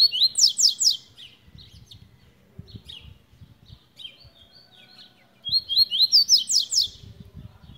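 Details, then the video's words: {'caption': 'Tui singing two bursts several seconds apart. Each burst is a quick chain of rising chirps merging into fast buzzy descending trills, with quieter notes and low clatter between.'} "tui tui de luxo"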